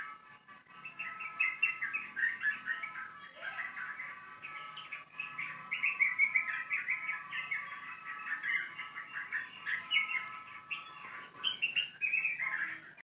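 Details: Sooty-headed bulbul's long song, used as a lure for other birds: an unbroken run of bubbly, chattering phrases, mid to high pitched, with a faint steady hum underneath.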